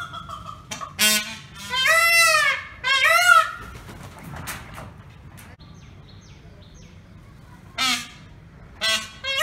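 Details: Indian peafowl in a small village lets out a cluster of loud, harsh, arched wails. Quieter sharp notes follow after a pause, set against faint rural background sound.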